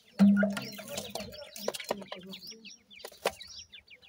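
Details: A male and female partridge, found to be a francolin, feed their 25-day-old chicks; an adult gives a low, soft cluck, then the chicks answer with thin, high, falling peeps in quick runs, over scattered tapping and clicking.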